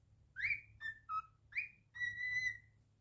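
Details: Cockatiel kept indoors whistling: rising slur, two short falling notes, another rising slur, then a long level held whistle, over a soft background hum.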